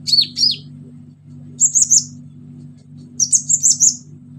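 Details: Orange-headed thrush singing actively, loud delivery packed with mimicked fillers, used as a lure for silent birds: warbled high notes and two rapid, buzzy high trills, each about a second long, with a constant low background hum.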